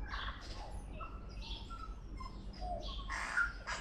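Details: Auckland, New Zealand tui singing a sequence of separate whistled and chiming notes, some clear and tonal, others harsher and broader, followed near the end by a louder burst, over low background noise.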